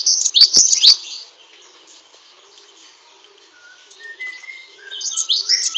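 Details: Great tit singing a burst of shrill, scratchy high chirps, then a quiet pause with a few soft thin whistles before the shrill chirping returns.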